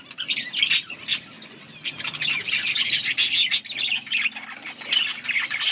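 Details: Several budgerigars chirping and singing together on August 19, 2024, a continuous chatter of high, grating squawks and quick tweets with no pause across the whole stretch.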